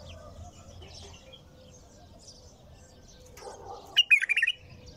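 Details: Nonstop bulbul song ending in a fast, bright run of five or six liquid notes. Before it come quiet high twitters and a low hum.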